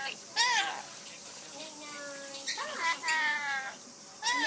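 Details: Talking rainbow lorikeet imitating the Japanese peekaboo words "inai inai baa": a loud harmonic syllable, softer murmured speech-like sounds, then a louder pair of syllables and a final bright phrase, in a quiet room.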